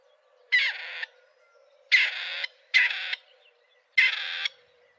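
Grey Partridge giving four harsh, grating, rusty calls, each about half a second long, spaced irregularly over five seconds.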